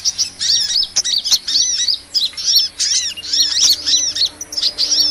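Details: Sunbird call used to lure small birds into traps: quick series of high, squeaky, down-slurred chirps grouped in little bursts, each paired with a fainter lower note, plus a few sharp ticks.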